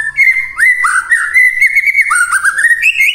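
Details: White-rumped shama in continuous morning song intended to prompt silent shamas to respond: rich, unbroken whistled phrases with upward swoops and wavering notes, gradually climbing toward the close.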